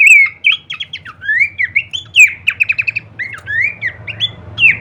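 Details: Kleperan-variation masteran training song of Horsfield's babbler: slurred whistles mixed with rapid rattling chip series and long upward-sweeping notes, with a soft low hum underneath.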